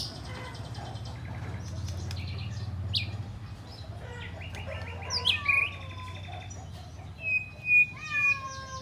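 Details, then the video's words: White-rumped shama in a long, clear song containing imitated flycatcher notes: scattered short chirps and buzzy trills, then sharp high whistles and flat sustained whistled notes with falling slurs near the end, over a low steady hum. "Murai Batu Bongkar Isian Sikatan Londo Durasi Panjang Suara Jernih"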